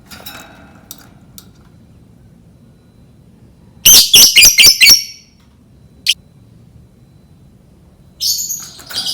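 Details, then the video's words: Lovebird calls used to lure other lovebirds into learning to sing: a loud burst of about six shrill, harsh chirps in quick succession, one lone sharp chirp after it, then another rough chirping burst at the end, over faint background hum. "Suara lovebird Memancing burung lovebird belajar berkicau"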